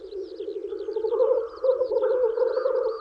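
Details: Spring display of black grouse cocks courting females: a throbbing bubbling chorus sits low while a run of quick, repeated high twittering notes from another bird dances above.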